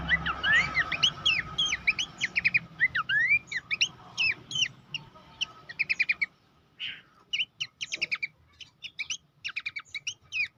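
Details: Horsfield's babbler song used as a master recording to train champion contest birds: fast chirping phrases and downward whistles, then after six seconds sparser separated bursts of sharp notes in a quieter background.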